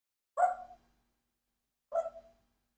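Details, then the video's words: Rocky, a 4-year-old Congo African Grey parrot, gives two short, abrupt hiccup-like sounds about 1.5 seconds apart, each a brief mid-pitched burst fading quickly; the owner wonders whether they are hiccups. "What's This Weird Sound Parrot Rocky (Parrot's Hiccups?)"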